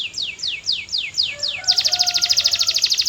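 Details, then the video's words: Singing canary delivering six evenly spaced descending whistled notes, then breaking into a bright, very fast rattling trill with a faint lower tone beneath. "CANARY GOES CRAZY! 🔥 Powerful Singing Sound"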